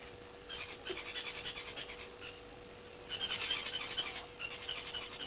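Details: Helmeted guineafowl at Gowrie dam waterhole, Djuma Game Reserve, Sabi Sand, South Africa, with impalas, at 17:28 on 29 June 2021, giving harsh, grating chatter in rough bursts over a steady low hum.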